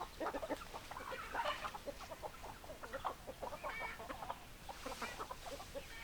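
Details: Flock of hens clucking continuously, many overlapping short clucks and squawky notes in a busy, chattering chorus with background hiss.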